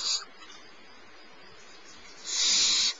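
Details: Smallest barn owl owlet at Starr Ranch being fed by its mother, morning of 6 March 2011; a clipped hiss at the start, a quiet pause, then a loud, breathy, rasping screech of about half a second at the end.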